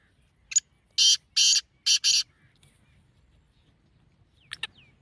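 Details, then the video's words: Calling of a black francolin, used to stir the bird into breeding condition: a brief scratchy note, then four loud grating rasps in two pairs, followed by silence and a few faint thin chirps near the end. "کالے تیتر کو مستی پر مجبور کرنے والی آواز | Black Teetar Calling Sound"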